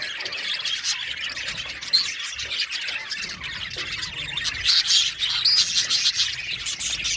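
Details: Budgerigar parakeets in an aviary colony, continuous flock chatter of chirps and harsh squawks, growing louder in the second half with bright whistled squeaks.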